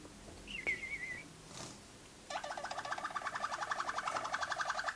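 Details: Young Malinois Waterslager canaries from 2012: a brief wavering whistle, then a long, rapid, bubbling rolled trill of evenly repeated notes over quiet background hiss.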